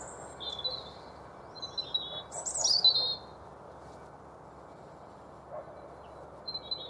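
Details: A European robin singing to defend its territory on the 5 Pits Trail, Chesterfield, Derbyshire, UK, gives short, thin, high phrases, sweeping and trilling, separated by pauses, over a steady low background hum.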